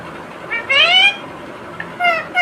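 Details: Pet Indian ringneck parrot chatters while eating a tomato; description quotes 'Mummy, give a glass of water.' Two harmonic, swooping speech-like phrases, the first long and rising, the second shorter, with a brief chirp between in a quiet room.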